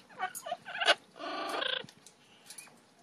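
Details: Two pet Double Yellow-headed Amazon parrots giving a mix of short harsh squawks and chattering notes, then a longer, strained, buzzy squawk lasting about half a second.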